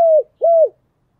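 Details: Two smooth spotted dove coos, each level then dropping at the end, from a giọng thổ style call used to stimulate decoy doves; silence follows.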